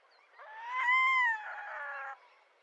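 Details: Red-throated diver giving a single drawn-out, mewing wail, cat-like in tone, that rises, holds briefly and sags, lasting under two seconds and followed by a softer trailing note, with rich harmonics over faint background hiss.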